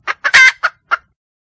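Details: Wild junglefowl hen seeking a male: two sharp clucks, a loud, rough, cackling squawk, then two more spaced clucks before silence.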